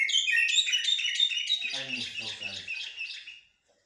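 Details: Common blackbird in the local blacksmith and military song styles: a rapid string of bright, ringing whistled notes, with a man's speech joining halfway through before the sound fades out.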